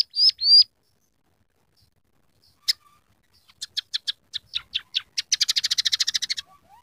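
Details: Scaly-breasted munia, or emprit peking, in full song with learned rough canary, sparrow and red siskin material: two loud whistles, a pause, then scattered sharp clicks speeding into a fast, even rattling trill.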